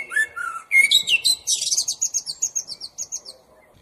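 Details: Common blackbird singing: low mellow whistles slide into a fast, high, squeaky twitter of rapidly repeated chipping notes that fade away.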